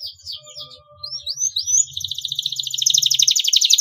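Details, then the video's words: Canary in full song, played as a lure to stimulate young birds learning to sing: rising whistled slurs, then a fast, rhythmic, high-pitched trill repeated about four times a second, over a faint low hum and steady tones. "KENARI GACOR DURASI PANJANG, PANCINGAN JITU RANGSANGAN DAHSYAT UNTUK PAUD BELAJAR BUNYI"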